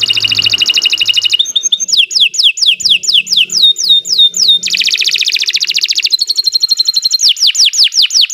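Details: Continuous canary singing for training other birds. The bird moves through varied tours: a quick rolling trill, a run of clear descending whistles, a rich fast chatter, steady piping notes and further slurred whistles, all loud and bright.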